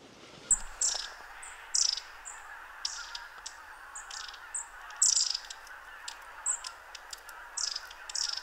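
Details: Long-tailed tits, constantly on the move, at the Ptasi Raj reserve in late autumn: very high, thin 'see-see' notes and short sputtering trills, roughly every second or two, over a steady murmur of distant birds.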